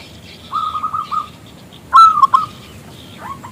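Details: Local zebra dove singing to prompt a male to respond: a quick run of soft coos, a pause, then a loud clear whistled phrase of three notes, followed by a few fainter notes.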